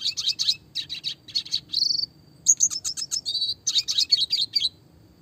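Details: Classic red siskin song with roll and rapid 'tembak' phrasing: dense twittering bursts broken by short pauses, a sliding rising buzz, then tight rapid chattering notes over a faint constant high tone.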